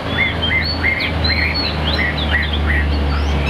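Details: Captive Chinese hwamei perching high: clear whistled notes, each rising then falling, repeated about twice a second over a loud, constant low drone.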